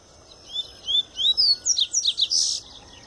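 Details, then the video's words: Tui Tui style song from a double-collared seedeater coming out of molt: three clear, upslurred whistles followed by a rapid burst of sharp, descending chips and a final buzzy trill. "Papa-capim Tui Tui puro"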